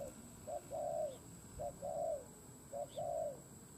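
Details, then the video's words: Decoy spotted dove cooing to attract wild doves: three phrases of a short coo followed by a longer rounded coo, evenly spaced, set against steady background hiss and a faint high tone. "Tiếng cu mồi đất gù gáy kích bổi"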